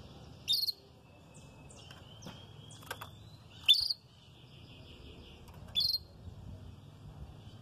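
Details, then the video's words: Red frosted canary in early moult, not doubling its song, gives three loud sharp high chirps a few seconds apart, with faint thin whistled notes and soft twittering in between. "VERMELHO NEVADO, CANTANDO"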